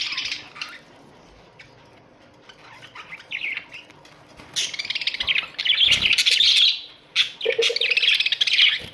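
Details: Pet Australian budgerigars in a colony chattering: warbling, buzzy calls in short bursts, then long runs of overlapping scratchy chirps and squeaks from several birds, with a brief low thump.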